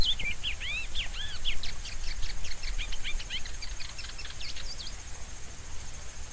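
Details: Rusty-collared seedeater singing: a rapid run of sweet whistled, arched and slurred notes between 2 and 5k, dense at first, then thinning toward the end, over steady low hiss and rumble.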